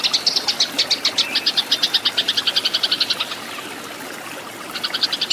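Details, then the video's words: Used to train caged birds, this Eurasian tree sparrow fighting song runs as quick, sharp chirps for about three seconds, falls silent for over a second, then the high chatter briefly returns. "MASTERAN BURUNG GEREJA TARUNG SUARA SUPER EFEKTIF GACOR KERAS JERNIH"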